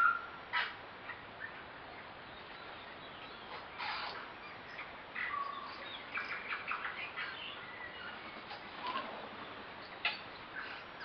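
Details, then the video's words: Roughly eight tui gather in a flowering kowhai in the Waitakere hills of West Auckland during September spring, giving bursts of clicks, sharp notes and short whistles spaced irregularly through the recording, taken on a compact camera. "tuis in kowhai tree"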